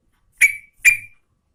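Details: Two crisp, bright chirps about half a second apart from a female yellow-vented bulbul calling the male, each note short and sharp with a quick fading tail.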